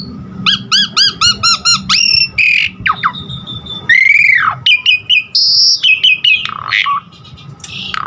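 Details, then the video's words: Asian pied starling song meant to spur and tutor other starlings into singing: opens with a rapid run of six bright repeated notes, then sweeping whistles, a long falling slur and high sustained tones. "Pancingan Jalak Suren GACOR Isian Variasi Suara Burung Masteran Burung Jalak Agar GACOR Full Isian"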